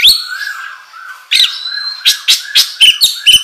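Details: Oriental magpie-robin song meant as a lure: a long, low, smooth whistle that slides downward, then a series of short, sharp chirps repeated roughly every quarter second.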